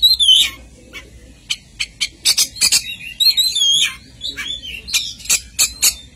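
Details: Oriental magpie-robin in lively full song: high, rapid whistled phrases and sharp chirps, with quick rising and falling trills and clipped notes in irregular bursts, over faint low background noise.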